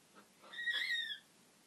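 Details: A talking macaw, said to over-dramatize a stretch, gives one short, tonal, slightly falling utterance under a second long, bright and whistle-like; nothing else stands out.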